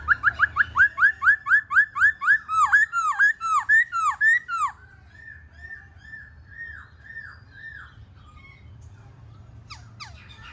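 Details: Singing Black-throated laughingthrush performing its song and dance: a fast even series of about fifteen sharp, down-slurred whistled notes, then curling, looping phrases, and finally softer repeated arched whistles fading away.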